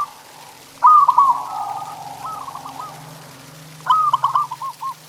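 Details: Zebra dove song played to make pet doves sing: a trilled coo phrase over a low steady hum, fading to a softer purr, then a new stuttered phrase.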